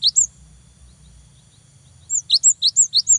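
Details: Cinereous tit singing to provoke a rival: a brief pair of high whistles, a quiet stretch with faint low hum, then a fast run of about seven high, alternating slurred whistles.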